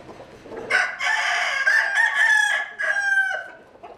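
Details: Chicken crowing: a long, loud, strained crow built of several linked segments that rise and hold, then end in a falling final phrase, with a brief quieter tail.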